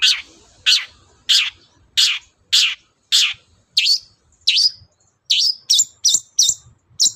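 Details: Morning Long-tailed shrike song aimed at making other birds answer: a series of rasping notes roughly every half second that give way to quicker, higher, sharper chips.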